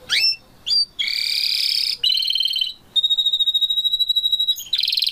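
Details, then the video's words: Canaries, parents with their chick: loud, close notes that shift from a rising whistle to buzzy rolled trills and a long, pure, even-pitched trill, then a rapid pulsing phrase. "canaries parents and chick bird"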